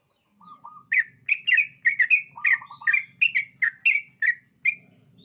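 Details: Dawn singing from a yellow-vented bulbul on a rice-crust diet: quick, bright slurred chirps in steady succession, interspersed with lower, soft rapid trilled notes, over a faint low background rumble.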